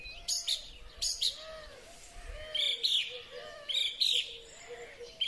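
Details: Song thrush in spring, recorded on a Huawei P30 Pro phone, repeating short sharp whistled phrases in pairs with brief gaps, while soft low cooing carries on underneath.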